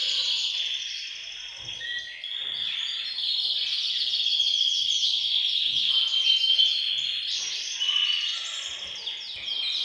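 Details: Canaries singing together in a bird room to stimulate males to sing; dense overlapping high trills and chirps from many birds form a continuous chorus.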